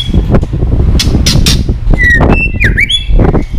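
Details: White-rumped shama female voice, 'tạch líu', meant to excite fighting males: a burst of harsh clicks, then a whistle gliding down and up in a V-shaped sweep, over heavy low rumbling noise.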